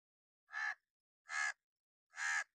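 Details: Angry crow calling sharp, loud warning caws, three harsh, raspy notes evenly spaced nearly a second apart, each short and broad, with nothing else audible.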